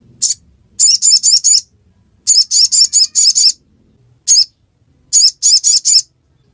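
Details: Sogon (sogok ontong) singing in the ngiriwek style: high, sharp chirps in quick bursts of three to five, separated by short pauses, with one lone chirp between groups.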